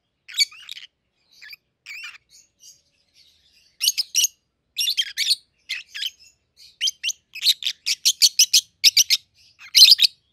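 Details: Peach-faced lovebirds, a 7-8-month-old pair in red-headed green opaline and red-faced dark green, start with soft twittering, then break into quick, rhythmic sharp chirps that build into a dense sequence.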